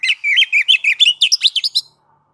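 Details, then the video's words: Kacer, the oriental magpie-robin, giving ngeplong song to provoke other kacer to sing. A rapid two-second burst of chirpy, slurred whistles, many short notes in quick succession, ending abruptly. No background sounds. "MASTER DASAR KACER NGEPLONG MEMANCING KACER AGAR CEPAT BUNYI GACOR Birds Song Kacer"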